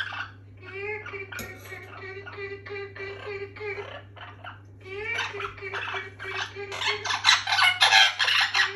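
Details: A rescued orange-winged amazon parrot, venturing out of his cage to watch a video of another parrot he is fond of, chatters in quick, speech-like bursts with laugh-like giggles. He grows louder and busier toward the end over a steady low hum.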